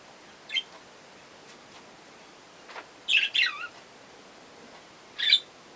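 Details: Three young budgerigars give a few short, scratchy chirps, with a quick warbled pair in the middle, against a soft indoor hiss.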